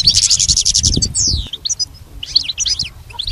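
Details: Goldfinch song from a training recording for a pet goldfinch: a fast trill, then a long descending slurred whistle, followed by spaced bursts of twittering chirps.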